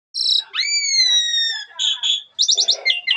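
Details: Asian pied starling (jalak suren) song full of fill-in phrases: long slurred whistles falling slightly, brief buzzy notes, then a quick burst of four sharp chirps and mixed chatter.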